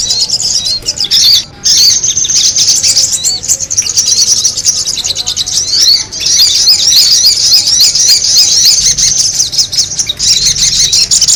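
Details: Noisy sogon birds used as a lure: long bouts of shrill, twittering chatter with varied squeaky and slurred notes, interrupted by a few brief pauses.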